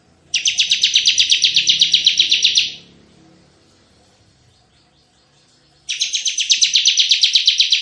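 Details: Tembakan song of an energetic Bar-winged prinia, kept as lure and tutor sound: a rapid, rattling, high buzzy trill over two seconds, a pause of about three seconds, then another trill begins.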